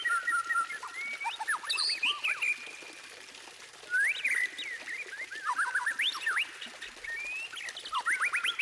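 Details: White-rumped shama singing varied whistled phrases. A long steady whistle is followed by quick upward and downward slurred notes, then a pause and another burst of sharp rising whistles.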